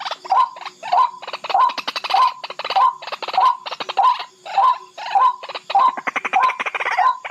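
Barred Rail giving a harsh, grating call, about a dozen raspy notes in steady rhythm, roughly one every 0.6 seconds, with no other sounds.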